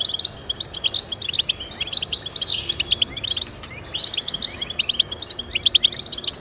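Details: European goldfinch song aimed at getting pet goldfinches singing: quick repeated tinkling notes and twitters with a buzzy, wheezy phrase in the middle, delivered steadily throughout.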